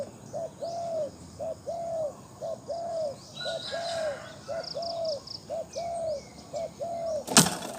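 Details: Captive Spotted dove with a powerful voice used as a decoy; loud, evenly paced low coos, each a short note then a longer slurred one, repeated about ten times, faint high chirps behind and a sharp knock at the end.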